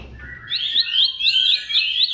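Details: Bar-winged prinia song used as a lure for silent birds: a brief run of rising, hooked chirps, about four a second, following a lower whistled note.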